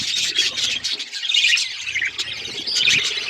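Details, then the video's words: Budgerigars chirping together in a dense, continuous chatter of high, scratchy chirps and warbles, overlapping notes with no pause and quick bright squeaks standing out now and then. "Budgies beautiful colours birds chirping sound"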